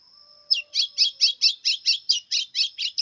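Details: Brownish 'pardo' white-throated seedeater singing a lot in 'pressão' style: about a dozen evenly spaced, buzzy chirped notes roughly four per second, over a constant thin high tone.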